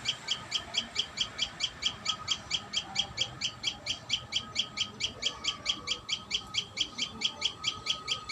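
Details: Common tailorbird at the nest, calling in a clear, rapid series of high, sharp chip notes, roughly two each second, very even in rhythm against a quiet background.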